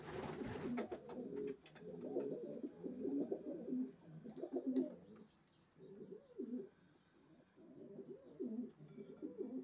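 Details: Racing pigeons giving low, rumbling coos in uneven bursts with short silent gaps, a few faint high chirps and a sharp rustle at the start.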